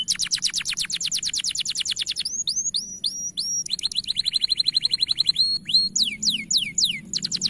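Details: Canary song used as a tutor recording, bright-coloured bird with a powerful, long-lasting voice: rapid high trills of descending strokes, then a run of separate looping whistled sweeps, a steady buzzy rolled phrase, and more falling notes.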